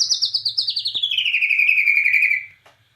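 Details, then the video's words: Bornean white-rumped shama in gacor nembak cililin song: a rapid pulsing trill that slides steadily downward in pitch and runs for about two and a half seconds before stopping abruptly. "Murai Batu Borneo Gacor Nembak Cililin"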